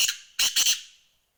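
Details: Black francolin call: harsh, grating notes, one short rasp then three quick scratchy notes, with a slight echo trailing off.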